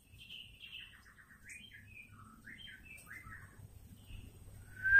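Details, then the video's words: Female white-rumped shama calling, played to provoke male shamas into song: a quiet run of short chirped and slurred whistles, some in quick stuttered groups, over low background rumble, ending with a louder rising note. "PANCINGAN AMPUH SEKALI PUTAR MURAI BATU DISITU AUTO EMOSI"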